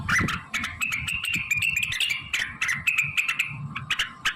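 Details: Energetic blue-winged leafbird song packed with imitations of other birds such as shama and canary; a dense, unbroken stream of sharp chips, rattles and high whistled trills with a faint steady drone beneath.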